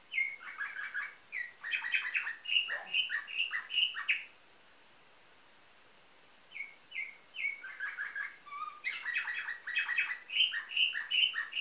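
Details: Nightingale-style canary song from Varna, Bulgaria, 2013: rapid chopped notes and bright repeated high pips for four seconds, a pause, then a short low whistle and another fast rippling burst.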